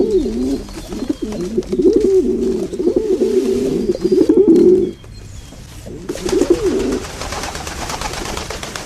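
Pigeons give low, throaty, rolling coos in a near-continuous run for about five seconds, then pause before a shorter burst of cooing.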